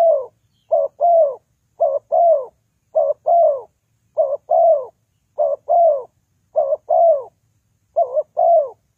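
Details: Spotted dove call used for trapping as a lure: repeated low, rounded coo phrases, a quick two-part note leading into a drawn-out descending coo, evenly spaced with no background noise.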